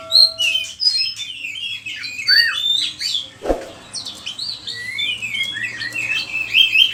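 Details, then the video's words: Oriental magpie-robin song used to tutor other cage birds, Indonesia: clear sliding whistles and varied warbled phrases, interrupted midway by a sharp knock. "Pancingan suara kacer gacor, bongkar isian burung"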